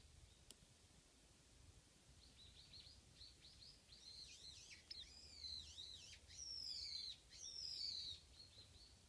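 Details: Japanese white-eye, a lone bird at a backyard spot behind a house: soft high twitters build into a string of thin arched notes and two sharper, louder descending squeaky phrases near the end; one click early on.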